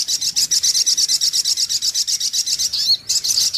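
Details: High, rapid pulsing trill of a sunbird played as a trapping lure, notes about four per second, with a brief gap and a sweeping note near the end.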